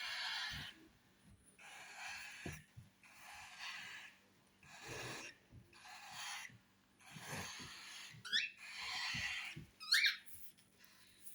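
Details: A baby cockatiel at feeding time gives harsh, wheezy begging rasps in rhythmic bursts about every second.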